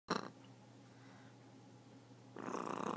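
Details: Pet blue-and-yellow macaw indoors making a harsh, rasping growl: a short burst at the start and a longer grating burst at the end, separated by a low steady room hum.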